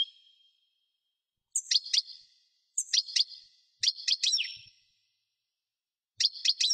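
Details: European goldfinch singing: bursts of quick liquid twittering notes with sharp frequency sweeps, delivered in short phrases about a second apart, separated by silence; a thin drawn-out tone opens the recording.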